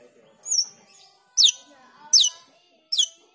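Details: Black-winged myna calls as a lure for training cucak keling: four high, squeaky notes that swoop downward, spaced under a second apart, over a faint steady whistle-like tone.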